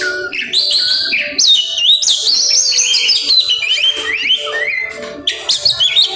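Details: Oriental magpie-robin, song with imitations coming out: loud sweeping whistles rising and falling, quick chirps and trills packed together with short gaps.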